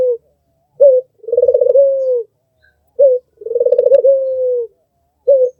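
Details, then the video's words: Melodious cooing from an albino, red-eyed Barbary dove: a short abrupt coo, then a throaty, rolling coo that stretches out and falls. The pattern comes twice, and a third short note ends the passage. "SUARA BURUNG PUTER MERDU"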